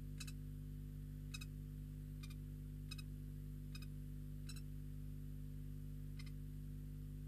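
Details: Regular sharp ticks, about one every second, over a steady low electrical hum, with no animal voice.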